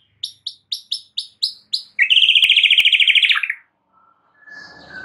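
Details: White-rumped shama song meant to make a mute bird respond; seven sharp high chips followed by a fast buzzy trill of repeated notes, then faint noise.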